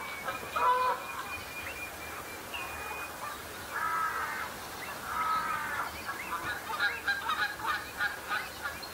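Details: Flock of common shelduck sparring early in the breeding season over pecking order and mates; softer, more distant honking bursts and a long steady whistle, ending in busy overlapping chatter from several birds.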